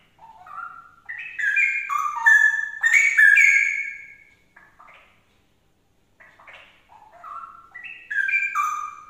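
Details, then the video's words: Loud song of a straw-headed bulbul, meant to trigger another bird into singing: a bubbling run of stepped, fluty whistles, a two-second pause with a few soft notes, then a shorter descending whistled phrase. "CUCAKROWO ANDA LANGSUNG NYAUT GACOR"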